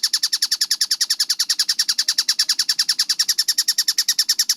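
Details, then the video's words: Tengkek buto, a kingfisher, recorded as a clear, rapid masteran: a steady, nonstop run of harsh, clipped kek notes at a brisk even tempo, about eight per second, with only a faint low background hum. "MASTERAN TENGKEK BUTO GACOR SUARA JERNIH SPEED RAPAT"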